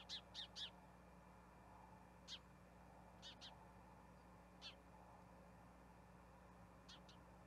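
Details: Spotted eagle-owls at a Johannesburg nest on 21 October 2021, as the male delivers a rat to the female to feed two owlets: quick trio of sharp, high, scratchy chirps, then scattered single and paired chirps over steady low hum.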